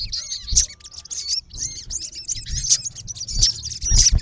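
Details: Rival-calling male olive-backed sunbird in its natural habitat gives piercing high chirps and short bent whistles, some sweeping downward, spaced irregularly over a low rumble.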